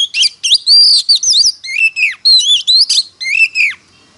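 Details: Competitive singing by an Oriental magpie-robin: loud bright whistled phrases with swooping up-and-down slurs, several long falling notes, packed tightly before ending in quiet.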